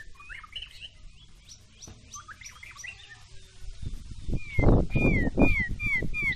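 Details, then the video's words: White-rumped shama song during a match between a short-tailed Medan bird and a balak 6 bird: soft scattered whistled notes early, then louder, downward-slurred clear whistles repeated roughly twice a second over low rumbling background noise. "MURAI BATU EKOR PENDEK VS MURAI BATU BALAK 6"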